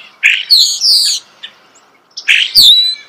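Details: Starling song recorded close by in nature: two loud phrases of squeaky whistles and buzzy slurred notes separated by a second of near silence.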